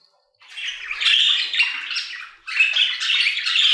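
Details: Budgerigars in an aviary begin after a moment of quiet, producing two runs of quick chattering, squeaky warble notes separated by a short pause near two and a half seconds.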